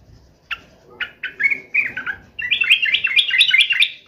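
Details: Sooty-headed bulbul in agitated, fighting mode: spaced bubbly notes that build into a continuous run of quick, warbled, chattering phrases, with faint low background noise.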